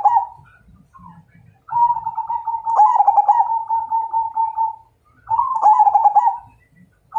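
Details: Majapahit-strain perkutut, the zebra dove, singing in a challenge to fight: gurgling, rolling coos near one pitch, two long phrases with a short gap between, each opening in bubbly stuttered notes and settling into a steady trill.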